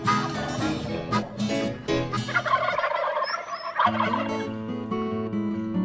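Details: Wild Texas turkey gobbling: a rapid, rattling, throaty gobble bursts out near the middle, set over steady, loud background music with low repeated notes throughout.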